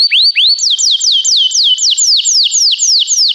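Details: High, clear canary song for training birds: rising hooked whistles give way to a string of evenly spaced falling slurs, roughly four per second, pure and loud.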